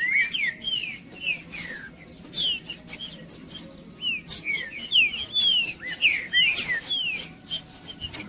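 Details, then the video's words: Male Green-winged saltator singing to provoke and warm up other birds: clear whistled notes sliding down and curving up, given in quick irregular bursts, with sharp clicks and a low steady hum behind. "Trinca-ferro Macheando 🔥 Trinca ferro cantando Para Esquentar Trinca ferro"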